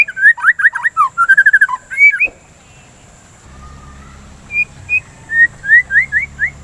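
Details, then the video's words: White-rumped shama lure song: a fast, varied whistled phrase, a pause, then spaced short high whistles over a low steady hum. "Pancingan Suara Burung dan terapi murai batu biar tidak birahi"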